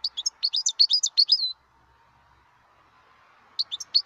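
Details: Wild European goldfinch: a lively run of high, tinkling, rapidly repeated chirps lasting about a second and a half, then a pause with a soft hum before the twittering starts again.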